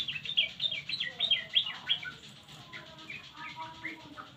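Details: Yellow-vented bulbul calls used as a lure to make quiet birds answer: a run of bright, sharp chirps in quick bursts over the first two seconds, then softer, scattered chirping notes.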